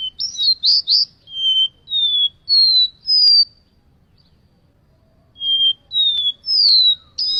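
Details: High, clear whistled notes from a seedeater, some slurred downward, given in a quick series, a pause of about two seconds, then another run of similar whistles over a faint low background rumble.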